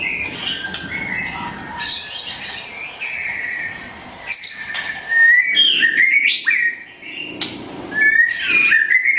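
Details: Blorok white-rumped shama, a pied bird with white feather patches, in full song: rich run of whistled notes and slurs with scratchy chatter and abrupt sharp accents, phrases repeating at varied pitch.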